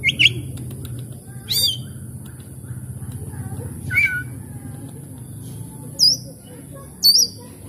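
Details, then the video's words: Oriental magpie-robin song played as a lure to get stressed, silent birds singing; scattered sharp whistled notes and downward sweeps several seconds apart, over a steady low hum. "cukup skali pancing kacer macet stres malas bunyi langsung gacor"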